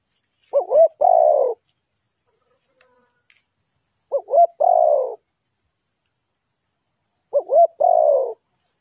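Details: Decoy spotted dove, Ninh Thuận, Vietnam, used to lure wild birds into a trap, repeating its three-part coo three times at even intervals of about three and a half seconds: two short looping notes and a drawn-out mellow hoot.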